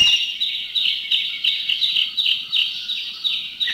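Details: Common green magpie giving loud, strident, piercing notes about three times a second, with a greater necklaced laughingthrush calling in the background; recorded in a Thai national park (Khao Yai, Doi Inthanon, Doi Suthep-Pui or Chae Son).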